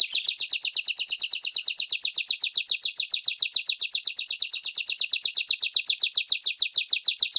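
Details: Training song for young and adult canaries, domestic and Belgian: a dense, rapid trill of identical high sweeping notes, steady and unbroken throughout.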